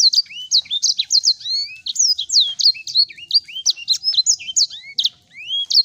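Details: Sanger singing, played as a lure to get the bird singing again: rapid, high-pitched twittering of short slurred notes and squeaky whistles, with lower upswept whistles every second or so, continuing throughout.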